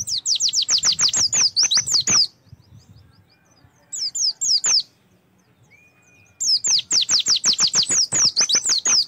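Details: Oriental white-eye master song meant to make the birds open their beaks and sing: fast runs of high, sharp descending whistles, a brief pause, a short phrase of a few notes, then another long rapid run.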